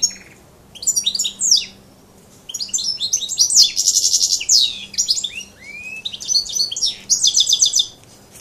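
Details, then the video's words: Goldfinch and canary hybrid mule, major type, in song: bursts of fast chattering trills and sharp descending chips, one long rising whistle near the end, phrases separated by brief silences over a low background hum. "chant mulet major x canari"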